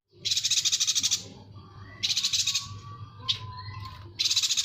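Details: Yuhina tutor recording for songbirds such as shrikes and magpie-robins. Strong scratchy buzz-trills, roughly a second each, alternate with a sharp chip and thin, level tones, over a quiet low drone.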